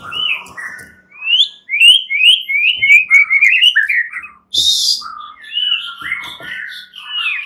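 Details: White-rumped shama fighter males singing back at rivals, agitated; a rapid string of rising whistled notes, then a harsh burst and further varied whistles.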